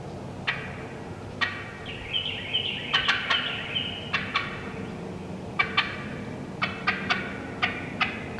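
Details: Wild turkey hens in the woods, with no hunter calling, cutting and yelping: sharp, loud staccato clucks scattered throughout, a short run of raspy yelps near the middle, then quick irregular bursts of cutting toward the end.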